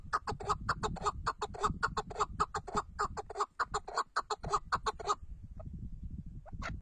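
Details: Chukar partridge, called 'Tatar keklik', repeating rapid, clucking chuck notes in a dense run for about five seconds, then a few scattered single notes over low background noise.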